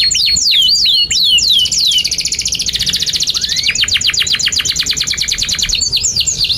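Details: Long-singing canary used as a 'cuit cuit nembak' lure for young canaries learning to sing: several down-slurred whistles, then an extended rapid rattling trill with one rising whistle mixed in.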